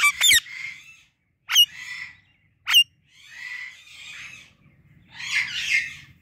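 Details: A pet pair, an Indian ringneck and an Alexandrine parrot, calls in the morning: sharp, piercing squeaks alternating with drawn-out, scratchy, grating squawks that grow louder toward the end.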